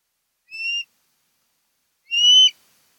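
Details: Osprey at a nest on Kent Island, Maryland, where a mated pair returns each year, recorded by nest camera on 10 August 2018 between 02:30 and 03:30; two separate drawn-out, level, high whistles about a second and a half apart.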